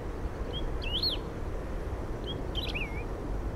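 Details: Lesser grass-finch song: two short phrases of thin, slurred whistled notes sweeping up and down, about two seconds apart, over steady low rumbling background noise.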